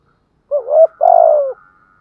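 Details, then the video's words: Spotted dove from southern Vietnam in 'gù thúc' style: a clean phrase of a short coo sliding up into a longer note, then a sustained, throbbing coo that falls slightly at the end. "chim cu gáy gù thúc bai bản giọng hạp bổi nhất miền nam"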